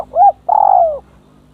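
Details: Caged decoy spotted dove placed beside a bold, aggressive rival dove: a short arched coo followed by a long, steady, slightly trembling coo that falls gently at the end, in a quiet indoor setting.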